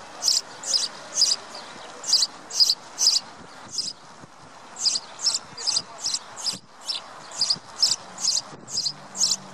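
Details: House sparrow recorded in the Wittlich valley, Germany, in 2017, giving bright, short chirps, about two a second, in bursts with brief pauses between them, over a faint low rumble.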